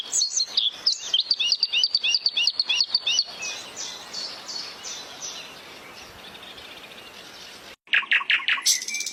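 Bluethroat singing a rapid, high run of sharp chirps and ringing notes, about three per second, fading out, then a brief fresh burst after a cut.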